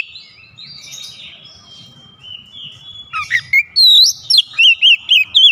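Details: White-rumped shama (kacer) singing. A soft thin whistle and chattery notes give way to loud, rapidly repeated wavering whistles, about four each second, over a faint low background hum.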